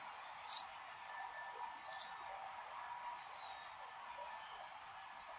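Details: House swifts flying as a flock at dusk over central Tokyo's Surugadai, seen from a high-rise building, December 2023; high, thin trilling twitters repeat through the clip, with two sharper bursts near the start, over a low city hum.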